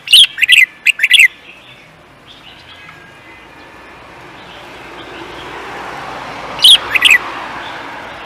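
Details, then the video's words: Competition songbird uttering quick clusters of sharp high chirps at the start and again near the end, with a rumbling vehicle or train noise swelling in between. "The Beautiful Bird singing"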